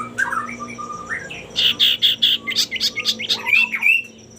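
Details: Singing male common iora used to provoke rival birds into singing, giving low sliding whistles followed by a rapid series of about a dozen loud, sharp repeated notes and wavering whistled phrases; a faint constant hum and high tone beneath.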